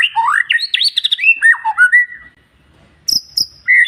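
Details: Murai (magpie-robin or shama) song used to lure quiet males into answering and coming into breeding condition; clear whistled phrases sliding up and down, a pause, then a few sharp high notes.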